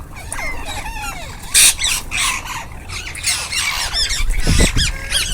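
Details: Rose-ringed parakeets in a group while eating, giving harsh overlapping squawks and screeches with rapid rising and falling tones, many birds calling at once, plus bursts of broadband rustling noise.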